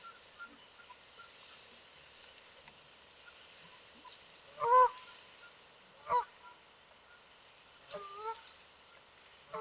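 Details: Wild Canada geese swimming on a lake, calling out to each other: a few loud nasal honks spaced a second or two apart, with quiet background between them.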